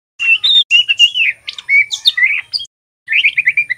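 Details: Young male white-rumped shama practising "ngeriwik" notes, meant to provoke birds into singing: a continuous chatter of warbled whistles and sharp chips, a brief pause, then a rapid trill of bright repeated notes.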